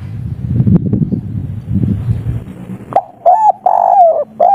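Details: Spotted dove, local kuk 3 type, singing with a soft voice: after several seconds of low rumbling background, three mellow coos follow, the middle one long and gently falling.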